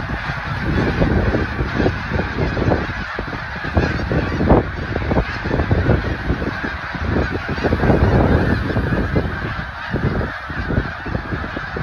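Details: Huge migrating flock of snow geese in Delaware, USA: constant overlapping barking honks from countless birds, swelling slightly around the middle and again later, with no single voice clearly separated from the din.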